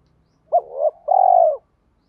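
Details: Spotted dove coo of the urging kind, used to get captive birds calling. A sharp hoot slides into a rising murmur, then a long, evenly pulsed purr fades downward. Faint low rumble underneath.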